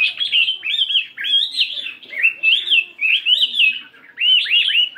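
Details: Morning song practice by a 72-gram fighting Chinese hwamei: clear, full whistled phrases, each arching up and down, delivered in a steady flowing series with short breaths between.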